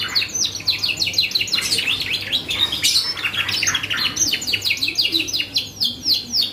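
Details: Canary song used as a lure to make other birds respond: rapid, evenly repeated falling chirps in quick bursts, rolling trills in between, steady low hum beneath.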